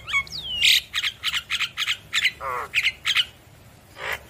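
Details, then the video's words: Javan myna singing actively and nodding, meant to provoke reluctant mynas into replying: a rising whistle, then a fast series of harsh, noisy squawked bursts about every quarter second, one buzzy low rattle, and a final rasp. "Jalak kebo Gacor Manggut Manggut Memancing Emosi Jalak Kebo Malas Bunyi Langsung Nyaut"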